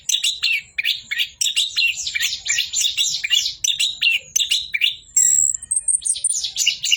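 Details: Orange-headed thrush singing in a nonstop 'bocor' style: a dense, unbroken stream of high, varied chirps, warbles and sweeping whistles, with brief sharp notes near the five-second mark and no other clear sounds.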